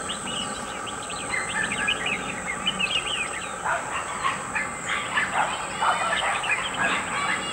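Brown Shrike giving a burst of harsh, rasping chatter in quick overlapping notes, with a steady high-pitched whine running underneath throughout.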